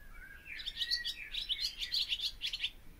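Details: A barn swallow opens with a thin rising whistle, then launches into a quick, steady string of high, squeaky, chattering notes.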